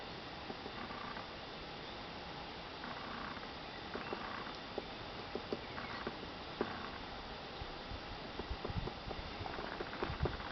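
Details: Woodpecker working at wood, excavating, in a forest nature reserve on a beautiful day, filmed on an old camera; sparse, irregular sharp single knocks over a steady hiss, with faint short calls in the background.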